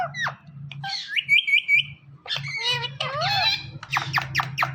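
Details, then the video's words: Indoors, a talking parrot mixes a sharp squawk and a short run of thin repeated whistles with rapid chattering, speech-like syllables, and a steady low hum underneath. "Talking Parrot"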